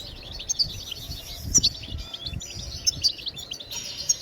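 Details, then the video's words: European goldfinch song intended to stimulate singing in other birds: thin high twittering over a noisy hiss, with occasional sharp bright notes and low thumps. "بتبتات الحسون لتحفيز الطيور على التغريد بتبتات تجنن الحسون وتجعله يخرج كل التغاريد المخفية"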